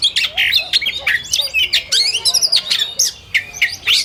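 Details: Oriental magpie-robin song in a contest simulation: dense bursts of sharp chirps, squawks and quick whistled notes, several phrases overlapping and following each other with short gaps.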